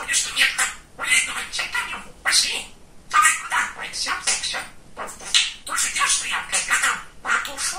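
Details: Talking male budgerigar kept as a pet, chattering non-stop in raspy, high speech-like phrases, several word groups broken by pauses of under a second.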